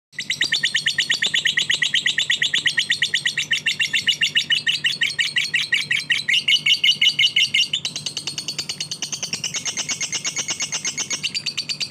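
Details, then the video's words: Lovebird song, a fighter-style bird: dense, rapid chattering of sharp high chirps repeated almost three times a second, shifting to a brighter, higher twittering phrase after about eight seconds, with a faint low hum beneath. "Lovebird Fighter"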